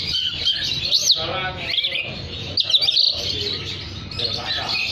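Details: Oriental magpie-robin, vigorous song for calling other magpie-robins: loud, high twittering and whistled flourishes, some rising sharply, running nearly continuously above a faint hum.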